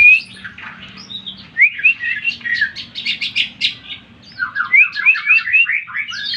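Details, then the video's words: Greater green leafbird song played to stir up other leafbirds: lively stream of sharp upslurred whistles and dense chattering notes in two long bursts separated by a short lull, with a soft low hum behind. "Pancingan Cucak Ijo Materi Joss Cepat Menaikan Emosi Ijo Mana Saja Auto Jamtrok"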